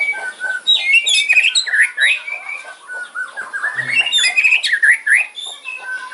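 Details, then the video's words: Fighter-style kretekan singing of a white-rumped shama, meant to provoke rivals: a dense, jumbled stream of harsh squawky notes and quick twisting whistles, almost without pause, loud throughout. "KRETEKAN MURAI KERAS FIGHTER ISIAN TAJAM BIKIN LAWAN EMOSI"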